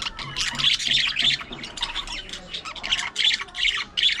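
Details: Squabbling, playful pet budgerigars give loud, harsh, high squawks and buzzy chatter in rapid overlapping bursts, about three each second, over a faint low hum.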